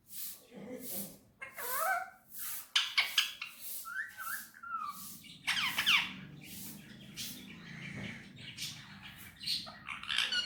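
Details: Indian ringneck parakeet kept indoors, talking in Urdu/Hindi on a table: jumbled raspy syllables mixed with short whistled glides and chirps, over a soft low background hum.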